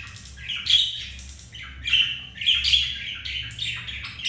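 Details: Budgies mating indoors after a rejection; continuous warbling chatter with buzzy squeaks and brief whistled tones, fairly even in loudness.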